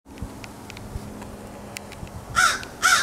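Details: A couple of crows recorded on 4 February 2022: two loud, harsh caws close together near the end, after a stretch of steady background noise with faint scattered clicks.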